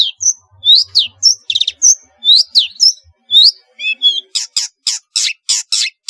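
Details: Long-tailed shrike in vigorous varied song, used as a lure to get reluctant shrikes singing: sharp high whistles, rising and falling slurred notes, then a run of rapid buzzy harsh bursts toward the end.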